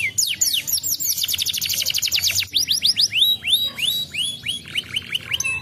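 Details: Canary singing as a prompt for other canaries to answer: a fast high trill of repeated notes, then slower, well-spaced rising-and-falling whistled sweeps, all bright and high-pitched.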